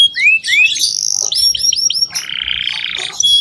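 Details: Domestic canary singing vigorously, used as a lure song to train young canaries: rising whistled upsweeps, a run of quick descending notes, then a dense buzzy trill and a final high whistle.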